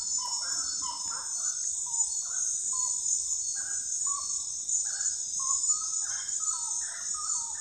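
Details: Common gallinule giving a run of short, slightly descending clucks in irregular groups, with a constant shrill insect chorus behind.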